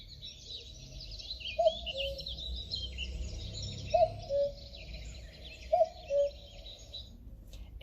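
A cuckoo gives its falling two-note 'cu-coo' three times, roughly every two seconds, over a steady high hiss of background insects or wind.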